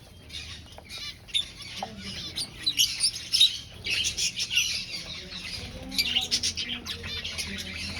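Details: Nest-seeking aviary finches at breeding time chatter with high chirps that begin sparse and grow into busy overlapping bursts, over a low background hum.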